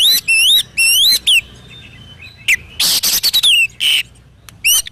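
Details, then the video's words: Oriental magpie-robin (kacer) singing gacor-style, used as a master recording for training and for morning and evening therapy: sweet whistled notes that rise and fall, repeated in quick phrases, broken by harsh, scratchy buzzing bursts. "SUARA BURUNG KACER GACOR COR"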